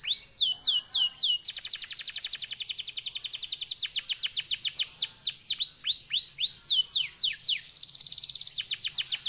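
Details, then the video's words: Canary of the F1YS line singing a long, fast, clear song: rapid repeated downward-sweeping whistled notes, then dense high trills and rolling chattering phrases, continuous throughout with no other sounds. "Kenari F1YS durasi panjang speed rapet jernih emosi"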